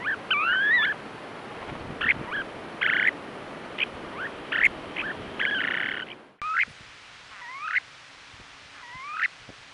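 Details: Western snowy plovers on their Ormond Beach nesting grounds in Oxnard, California, 2018, via trail camera: buzzy rattling notes and looping slurred calls, then after a cut a few separate rising and falling whistles.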